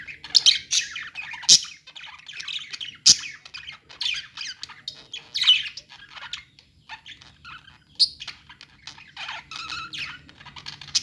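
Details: Budgerigars chattering in a pet store, a steady stream of uneven, scratchy chirps and squawky notes with a few sharp clicks, several birds calling at once.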